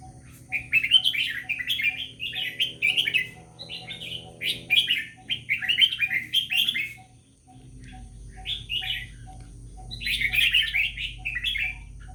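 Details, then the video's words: Red-whiskered bulbul of a bird called Vietnamese-type, singing repeated bubbly, warbling phrases of three to five quick notes, with pauses between, over a steady low hum and faint ticking. "เสียงนกกรงหัวจุก # เจ้าเวียดนามน้อย"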